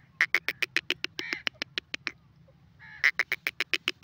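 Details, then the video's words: Francolin, known locally as teetar, giving rapid sharp clipped notes repeated several times a second, broken by two short buzzy rasping bursts and a brief pause, against a faint low hum. "dakni teetar voice call sindhi teeter awaaz"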